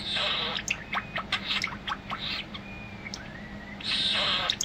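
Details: Household European starling in daily song from atop a monitor: hissing, static-like bursts interleaved with clicks and faint thin whistled glides, ending in another loud hiss.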